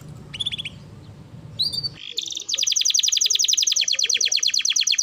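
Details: Canary song used as a lure to stimulate other canaries to sing; after faint scattered chirps, a fast, even trill of high repeated notes runs steadily to the end.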